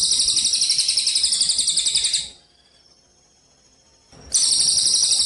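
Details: Gereja cililin kapas tembak sparrow training recording for contests: intense rapid buzzing trill, high and metallic, about two seconds long, silence for two seconds, then another trill starts.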